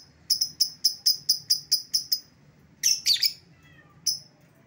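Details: Lovebird lure call used to call back an escaped lovebird: a quick run of about ten shrill, evenly spaced chirps, then several harsh, scratchy screeches and one more lone chirp.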